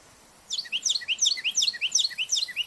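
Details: Carolina wren calling from the top of a tree along a park hiking trail, recorded up close as it hopped between branches: a loud rolling series of rapid, repeated two-to-three-note whistled phrases, about eight phrases in two seconds.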